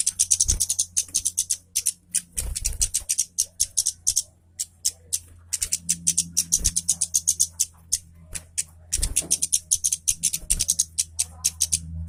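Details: Orange-headed thrush singing briskly, a lure for thrushes reluctant to sing: fast sequences of bright high ticks and chattering notes over a constant low electrical hum, with occasional thumps.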